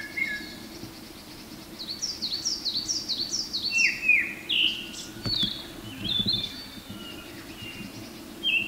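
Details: A male Japanese thrush sings in forest as morning sun comes in at Mount Garyū, Hiroshima, on 23 May 2019: a varied run of clear, high whistled notes, some falling slurs, sweeping phrases, over soft low hum; coal tits and narcissus flycatchers also present.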